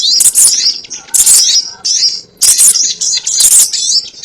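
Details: Sogon calling, a lure for trapping: bursts of shrill, scratchy chirps and rising whistles, each lasting under a second, with short quiet gaps between.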